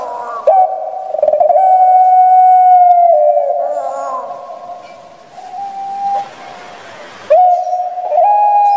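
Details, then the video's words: Captive Barbary dove of the puter pelung type from Java, Indonesia, with a small shrill voice, repeats long level coos of one to two seconds, separated by quieter rough gurgling notes and a brief hiss of noise. "Postur JUMBO SUARA Kecil Mlengking // puter pelung"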